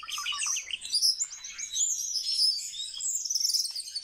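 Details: Trained captive male common starling pouring out a continuous high, shrill babble of twittering, chattering and whistled phrases, densely packed with no pauses.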